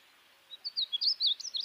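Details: A short burst of painted bunting song: a quick run of high, tumbling twitters and slurred whistles ending abruptly in a calm, quiet setting.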